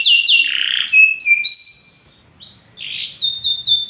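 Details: Belgian canary giving short descending slurs, thin whistled notes and a buzzy phrase, a brief lull, then a quick series of repeated downward chirps.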